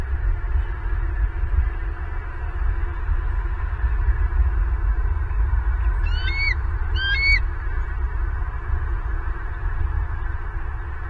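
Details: Bald eagle at a Southwest Florida nest, heard through a live nest camera on 24 November 2022 in the late morning. Two quick, high, squealing chirps come about a second apart amid constant low roaring wind noise.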